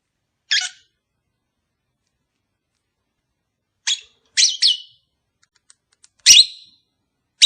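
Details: Captive lovebird pair, kept as pets, calls played to encourage mating: sharp high chirps, one near the start then a cluster of three around four seconds and another at six, with long silent gaps between.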